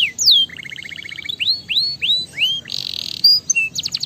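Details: Canary song used to stimulate other canaries: a varied string of high, sweet phrases, with sharp downward-sliding whistles, a quick repeated double-note trill, a buzzy rolled burst, then bright chirps.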